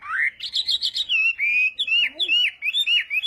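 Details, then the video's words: Chinese hwamei singing in the morning to train its voice, a lively rush of rising and falling whistled notes, a quick trill-like cluster, then varied warbled phrases with a faint lower note beneath. "hoạ mi hót sáng luyện giọng"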